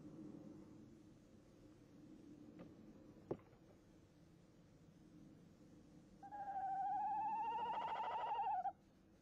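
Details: Male tawny owl inside a nest box, 22 January 2018: a low hum and a sharp knock early on, then a loud, wavering hoot lasting over two seconds that rises and falls slightly.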